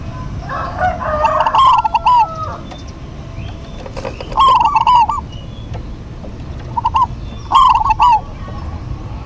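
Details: Zebra doves, a local type, in a duet: four separate bubbling, rolling coo phrases spaced a couple of seconds apart over a fairly quiet background.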